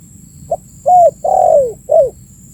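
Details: Spotted dove calling, recorded for use as a lure to attract birds: a soft short note, then an arched coo, a long descending coo and a final falling note, over a steady faint high-pitched hum.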